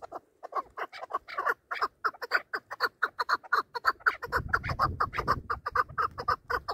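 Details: Hunting chukar partridges calling in a contest: a rapid series of clucking chuk notes, repeated about twice a second, steady and insistent, with a low rumble entering in the second half.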